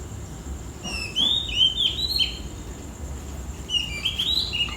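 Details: An Oriental magpie-robin sings bright, varied whistled phrases that slur up and down, in two bursts a few seconds apart, over a low hum, in the early morning around 4–5 am while roosters crow.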